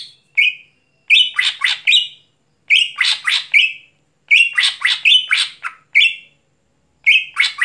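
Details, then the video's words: Greater green leafbird (cucak hijau) singing at night: loud bursts of clear whistles mixed with harsh scratchy chatters, in phrases separated by short pauses, no other sounds. "Cucak Hijau Gacor Malam Hari"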